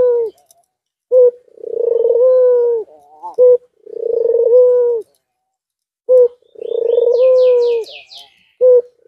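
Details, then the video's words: Courting white dove, in heat, delivers three long rough coos, each framed by short punchy notes. A burst of thin descending twitters from another bird comes in near the end. "Puter Putih Birahi Ga tertahan Gacor dor angguk angguk"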